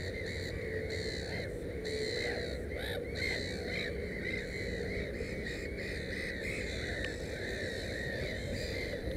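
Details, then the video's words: Black-headed gull at a nest with three chicks: harsh, nasal calls repeated in quick irregular series throughout, some overlapping as if from several gulls, over steady low rumbling background noise. "Озерная чайка"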